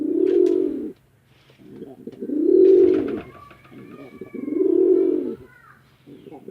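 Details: Male and female domestic pigeons fighting at a village pigeon farm in Chittagong District, Bangladesh; loud, low rolling coos in three long swelling bursts, with a thin whistled sound and light scuffling in the background.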